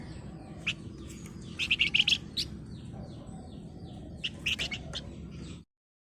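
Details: {'text': 'Golden-bellied gerygone in active song described as dense, rapid chattering, given as short bright chirps and a burst of fast high notes midway, another cluster near the end, over steady low background rumble.'}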